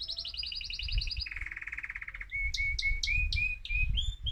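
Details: Excited male mosaic canary singing to stimulate other birds: a fast trill of high doubled notes, then a lower buzzy rattle, then a string of short whistled notes with sharp upward flicks.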